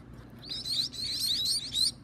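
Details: Baby birds at feeding time give a short, blurred rush of shrill chirps that builds into a continuous high twittering.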